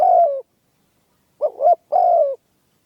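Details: Captive trained spotted dove used in hunting, giving a falling coo, a short doubled note, then another longer descending coo in a brief burst. No other sounds are heard.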